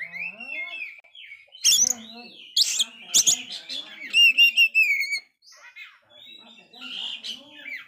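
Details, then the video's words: Oriental magpie-robin singing constantly after an incomplete moult, meant to spark other kacer: low harmonic warble, harsh bursts, then a string of loud repeated whistles before fading into soft chatter. "Kacer gagal mabung ini sangat gacor sekali Cocok Untuk mancing Mental kacer drop"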